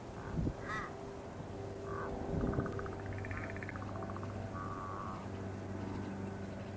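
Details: Torresian crow (Corvus orru) on the Sunshine Coast, Queensland, in February 2023, giving a series of nasal, harsh calls in short bursts, some drawn out and wavering, over a steady low hum.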